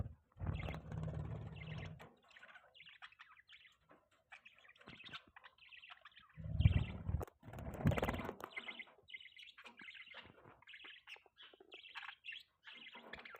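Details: Morning chirping of pet budgerigars: many short, bright chirps repeated in quick runs, with loud low rumbling bursts at the start and midway.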